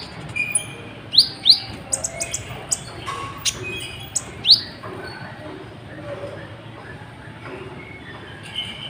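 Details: Kolibri ninja sunbird singing actively, used to provoke other birds into singing: sharp, very high downward-sweeping chips and brief twitters in scattered bursts during the first five seconds, then quieter faint notes over low background hum.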